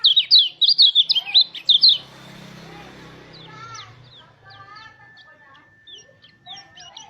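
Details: Mountain white-eye in rolling 'ngalas' song, played to prompt other white-eyes to open their beaks and sing. A loud burst of fast, high, warbled twitters lasts two seconds, then fades into low rumbling noise with faint distant chirps.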